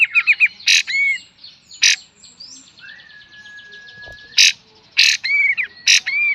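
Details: Kapas tembak master song for cage bird training: quick chattering notes, sharp bursts, one long level whistle, then looping whistled phrases between loud bursts, with a soft low thump midway.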